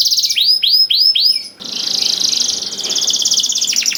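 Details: Canary song meant to set other canaries singing: four rising swept whistles over a high trill, followed by a long, rapid, rattling trill with a brief lower flourish near the end.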